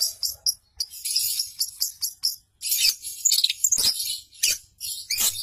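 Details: Long-tailed shrike song as a training master, imitating tree sparrow, canary, lovebird, sooty-headed bulbul and cililin; very high, twittering and scratchy phrases tumbling in quick succession with short gaps.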